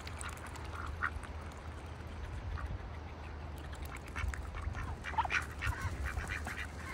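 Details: In wintertime, ducks sitting in a bucket on a farm make intermittent short quacks and murmuring calls, growing busier toward the end, with a continuous low hum beneath.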